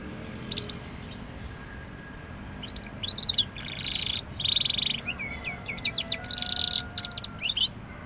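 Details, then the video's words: Young canary beginning to sing a lot: a few soft chirps, then dense buzzy trills alternating with quick sweeping notes and rolling rattles, growing louder toward the end. "suara burung kenari paud mulai gacor"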